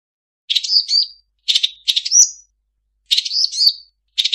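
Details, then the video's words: Cendet, the long-tailed shrike, delivering a mimicry-filled song: short phrases of a scratchy note followed by a rising-and-falling whistled slur, repeated about every one and a half seconds in a clean, quiet setting. "Suara burung cendet mp3 banyak isian"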